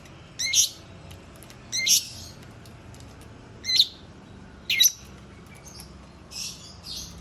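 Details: Long-tailed shrike giving harsh, scratchy notes, each a short rasping burst, spaced about a second apart, with two softer, breathier notes closing the sequence.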